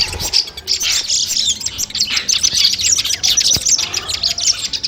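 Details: Long-tailed shrike (cendet) sounds compiled to test a bird's nerve before a competition. Dense, even, high-pitched twittering made of many fast repeated chirps, steady for the whole stretch.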